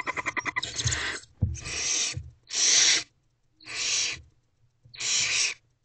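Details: Owls in a nest box at night, 1:48 am, while an older owlet swallows large prey; a quick rattling run of short pulses, then four loud, rough hissing screeches of about half a second, evenly spaced.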